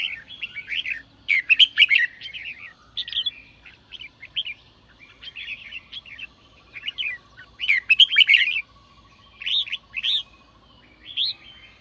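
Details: Red-whiskered bulbul giving sổ bọng song meant to trigger newly caught birds: clustered warbling phrases separated by short silences, occasional harsh raspy notes, a faint steady low hum running behind.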